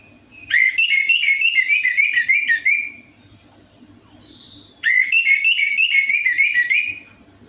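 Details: Orange-headed thrush song played to stimulate a bird that sings poorly: two long runs of rapid, varied whistled warbling, separated by high drawn-out descending whistles, steady low hum in background.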